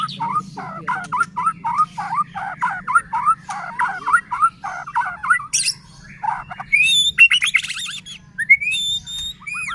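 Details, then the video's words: White-rumped shama singing, used to provoke other shamas into singing: a series of repeated downslurred whistled phrases around two per second, followed by sharp high chattering and rising whistles; steady low hum throughout. "Murai batu gacor AMPUH buat PANCINGAN murai batu agar bunyi"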